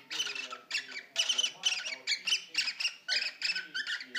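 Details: Courting male cockatiel, around one year old, singing to a female during mating in a cage: short grating, buzzy squawks repeated several times a second in an uneven chattering series.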